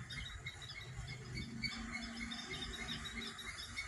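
Morning birds chirp in short, high notes, several each second from more than one singer, over a steady low hum.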